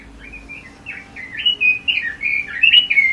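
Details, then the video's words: Pekin robin (red-billed leiothrix) singing a fluid string of short, bright warbled notes that rise and dip, about three or four per second, growing louder toward the end; recorded for song tutoring and contest practice, faint background hum. "Kicau Burung ROBIN"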